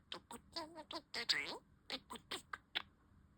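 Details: Pet budgerigar giving a burst of short, clicky chirps and scratchy notes in quick succession, about a dozen bursts over three seconds, with one slurred rising squeak in the middle; quiet indoor background.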